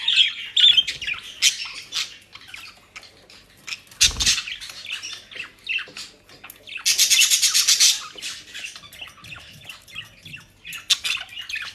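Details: Several pet budgerigars in Den Haag, South Holland, eating dry leaves and grass; rapid, busy chirping and scratchy warbling runs throughout, with one loud harsh buzzy burst midway and a dull thud near four seconds.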